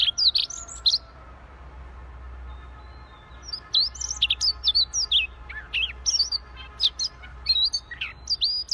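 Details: An energetically singing (gacor) Siberian rubythroat gives a short high flourish, pauses, then launches into a long stream of rapid, varied whistles and scratchy chips.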